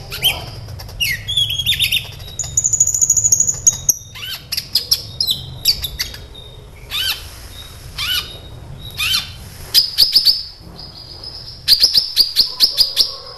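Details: Long, energetic song of a sunbird known as kolibri ninja, played to make other birds respond and sing: buzzy high trills, sustained thin whistles, sharp descending chirps and fast twittering runs.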